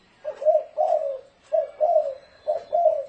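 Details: Spotted dove giving a thổ rền style call, used as a decoy to lure wild doves: three paired low hollow coos, each a short note followed by a longer drawn-out one, repeated about once a second.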